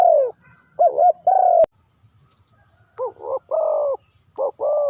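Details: Husky spotted dove coos in the three-kuk hanging style: wavering rough notes and a held longer coo, then a silent pause and a fresh burst of three throaty notes.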